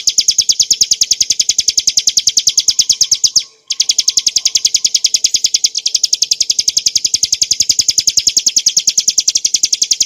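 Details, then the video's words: Bar-winged prinia, known locally as ciblek gunung, delivering a long 'ngebren nembak' song for pancingan: a continuous stream of shrill rapid chips, broken by one short gap early on and a faint hitch later. "kicauan burung ciblek gurun untuk masteran & pancingan - suara jernih ngebren nembak"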